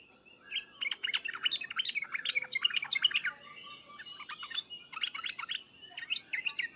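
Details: Loud 'cuk-cuk' and 'uplik-uplik' calls of an agitated sooty-headed bulbul, used to get bulbuls to answer; bursts of fast chattering, bubbly notes separated by short gaps.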